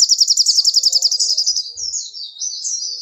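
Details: Little spiderhunter in lively, persistent song: a fast run of sharp, high chipping notes, about three or four a second, that slides into a looser, warbling high twitter over quiet background.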